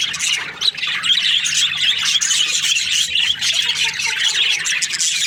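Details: Breeding-season budgerigars in a group, chirping and squawking continuously in a lively, overlapping chatter of short high notes and warbles.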